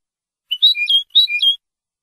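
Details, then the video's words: European goldfinch singing in the F.O.C.S.E style on a training recording meant to teach young goldfinches, two quick twittering phrases of sliding, chirpy notes with a brief pause between them. "CD JILGUERO F.O.C.S.E 30min para educar a jilgueros noveles. Chardonneret Goldfinch"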